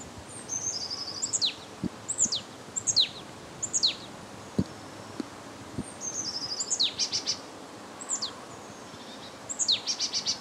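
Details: Marsh Tit in Limousin, France, 8 February 2012, during a cold spell in winter. Repeated sharp, high, falling notes are mixed with short buzzy runs of rapid notes. Scattered soft ticks and light outdoor noise sit underneath.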